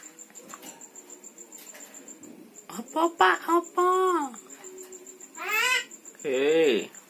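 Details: Javan myna, said to speak words like bapak, mamak and opo pak and to whistle, gives several loud nasal, word-like syllables that bend and waver, between quieter rhythmic background sounds.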